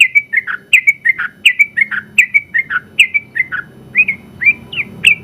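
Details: Sooty-headed bulbul, a contest champion, singing its long rapid 'ropel panjang' song, recorded for tutoring other birds: continuous, evenly spaced bright slurred notes, roughly one and a half per second, without breaks.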